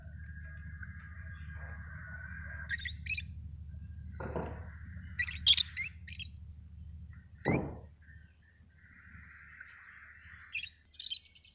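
Lovebirds give sharp, high chirps and shrill squeaks in scattered bursts, with a steady low hum underneath.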